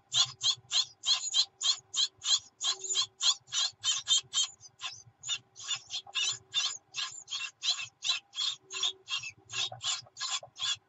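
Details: Great tit chicks in the nest, 24 June 2019, clamouring for food from their mother: rapid rasping, high-pitched buzzes repeated about three times a second, briefly faltering midway before resuming.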